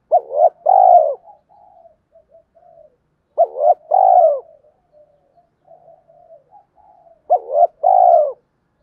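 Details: Spotted dove giving a daily two-ending coo ('hai hậu') to provoke wild doves. Three phrases about every 3.5 seconds, each a quick doubled note and then a longer, loud, falling coo. Soft low murmuring notes fill the gaps.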